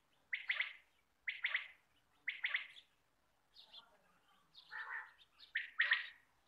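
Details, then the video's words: Calling quail, as played to attract birds for hunting, giving grating paired bursts about once a second, with a softer, lower scratchy phrase midway. "Quail sound For shikar"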